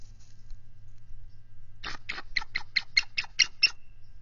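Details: Adult bald eagle on high alert at its nest with an egg, as a mature adult intruder eagle enters the territory on 18 February 2023; a quiet start, then a rapid run of about nine sharp, piping notes over low background hum.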